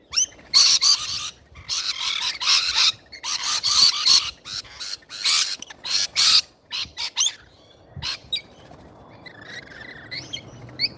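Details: Feeding-time rainbow lorikeets: repeated loud rasping screeches and chatter in irregular bursts, tapering into softer twittering and a brief clunk near the end.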